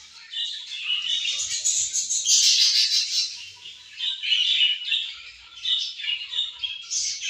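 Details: A group of pet budgerigars enjoying food and play together chatter nonstop: rapid high twittering, squeaky trills and scratchy warbles pour out densely, swelling loudest in the middle.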